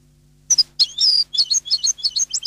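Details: European goldfinch, Neapolitan song style: after a couple of sharp chips, a fast, liquid twitter of high paired notes repeated about five times a second, clean and close, with a faint low hum beneath.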